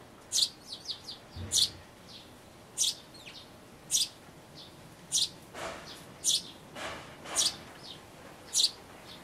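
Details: Sparrow nestlings close to fledging in a birdhouse give thin, high chirps, singly or in short bursts about once a second, over soft hiss; recorded 12 May 2012.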